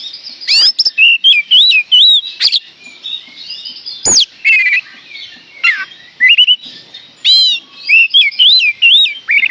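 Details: Oriental magpie-robin singing a lively lure song meant to provoke other magpie-robins: loud, varied whistled phrases with rising and falling slurs and sharp high notes, delivered in quick bursts separated by brief pauses.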